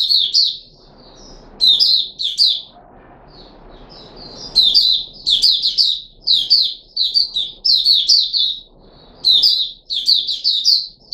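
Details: Red-whiskered bulbul of the Puteh Raja type, a kept bird recorded 13 April 2021 after a special fruit juice and one mealworm, singing short bright warbled phrases in bursts separated by pauses, with faint low background rumble.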